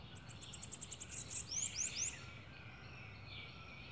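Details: Bananaquit singing a quick series of high, thin, sibilant ticks that run into several short upslurred squeaky notes. Steady background hiss underneath.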